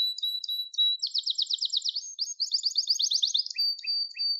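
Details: Song of a Gloster canary opening with thin whistled notes and short chips, breaking into fast rattling trills, then ending with a level whistle and sharp separated chirps.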